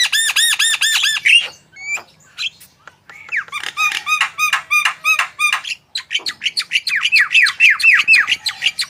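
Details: Actively singing Javan myna, used as a teaching and prompting recording for other birds: rapid series of ringing, arched, harmonic notes, then a short pause, then more bursts of ringing notes mixed with scratchy chatter.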